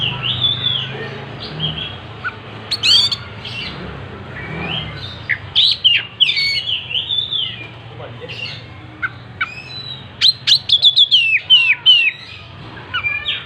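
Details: Tail spread open, an Oriental magpie-robin pours out a long varied song of sliding whistles, sharp chips and fast rattling bursts, with pauses between phrases and faint background noise.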